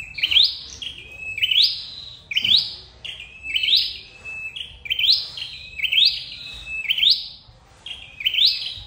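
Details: Flowerpecker voice played to lure birds into traps: a steady series of about eight sharp high phrases, each a level note ending in a rising sweep, close to one per second.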